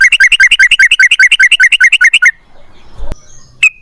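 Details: Yellow-vented bulbul in lively rolling song, used to lure other bulbuls: over two seconds of evenly repeated bubbly hooked notes, about six per second, then a pause, a faint click and one final note.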